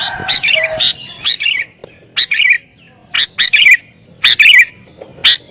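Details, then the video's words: Agitated sooty-headed bulbul in full excited song meant to provoke rivals and draw in wild birds, giving short loud chattering, gurgling phrases in quick groups separated by brief silences. "Burung Kutilang Gacor Isian Cocok Buat Pikat Burung Kutilang Liar"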